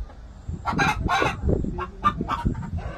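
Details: Korean native chicken clucking: a rapid run of short, harsh, throaty clucks in uneven bursts with a brief higher squawk, over a low background rumble.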